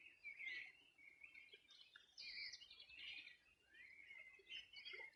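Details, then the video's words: Birds chorus on a summer morning of 2020 at the riverbank of the Río Bueno in Chile's Región de los Ríos; dense, high twittering and warbling from several singers, with short louder bursts and little background noise. "Sonido de las aves a orilla del Rio Bueno"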